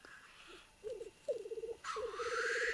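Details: Black grouse males at a lek in the Trans-Urals, squaring off as rivals: short bursts of low bubbling cooing, then a long hoarse rising hiss over continued bubbling.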